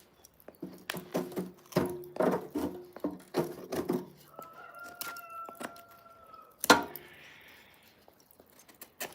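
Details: A neighbour's rooster, distant, in Russia near Lake Baikal, holds one long, steady crow for about two seconds after a stretch of talking, and a sharp knock follows.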